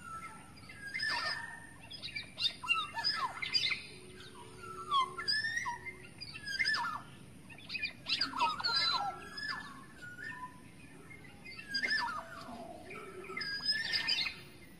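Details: Black-naped oriole, wild forest bird, lure call: a steady series of fluty, descending whistles mixed with harsh chattering notes, delivered in clustered phrases every two or three seconds.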